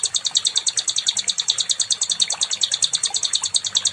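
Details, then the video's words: Nightingale (sikatan londo) training song: a continuous, very high, buzzy pulsed trill, steady and rapid at roughly three pulses a second throughout, with no other notable sounds. "SIKATAN LONDO🏆🔥 NIGHTINGALE"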